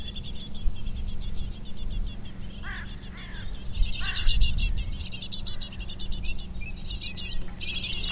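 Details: Great tit nestlings ready to leave the nest beg continuously as adults feed them insects and caterpillars; a loud, steady, high hissing chatter runs throughout, broken by a few lower downslurred notes and a faint background hum.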